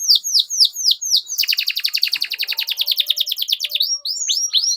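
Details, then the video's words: Canary giving a long, energetic song meant as a master lure for young canaries: several swooping downslurred whistles, then a long rapid buzzy trill, ending with a few more swoops. "PANCINGAN Kenari GACOR PANJANG Cuit CUIT Ini Ampuh Untuk MASTERAN PAUD Kenari Belajar BUNYI"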